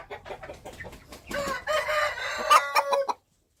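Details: Wild chicken rooster crowing: soft clucks first, then a harsh, prolonged crow that breaks into a few clipped final notes before silence.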